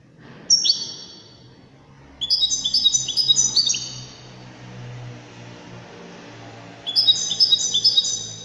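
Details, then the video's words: Widani-style song of a European goldfinch, with a single sharp note followed by two bursts of rapid, silvery twittering and trilled notes, over a steady low background hum. "تغريد رائع أناقة في الأداء طائر الحسون الويداني"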